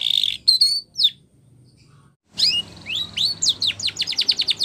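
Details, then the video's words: Spanish Timbrado canary in training song: a buzzy burst and a few whistled slurs, a two-second pause, then rising sweeps quickening into a steady series of sharp chips. "Canary Singing / Spanish Timbrado song For Training"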